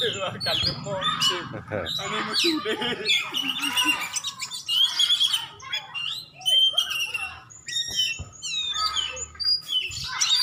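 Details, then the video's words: Oriental magpie-robin from Aceh singing a dense, fast medley of varied whistles, chirps and sharp trills that shift quickly in pitch, with short pauses between phrases, over faint low background noise. "Cari setingan Kacer juara"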